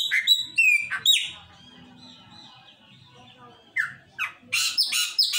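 A chopi blackbird sings loud, clear whistled notes and liquid slurred phrases, some rising and some falling, broken by short pauses; faint low murmurs run underneath.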